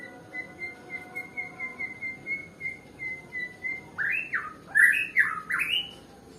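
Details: Lazy-singing Nias white-rumped shama: a string of about a dozen soft, short whistled notes at one pitch, then a sudden outburst of loud, full, swooping phrases with bright rising notes.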